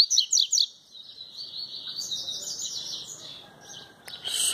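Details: The tui-tui song of a double-collared seedeater, sung without a female, starts with a burst of loud repeated slurred whistles. A long, thin, high twittering trill follows while a man quietly encourages the bird.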